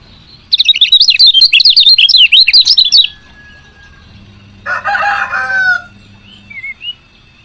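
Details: Rapid, loud burst of high twittering chirps from a female lemon-bellied white-eye, a call meant to prompt males to sing. It lasts about two and a half seconds, followed by a harsher, noisier chattering burst and a few faint thin notes.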